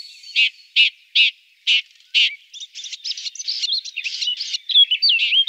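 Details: Red-backed shrike in central Brabant, Netherlands: a few spaced harsh chattering notes, then a fast jumbled run of scratchy chirps and thin whistles, clean background.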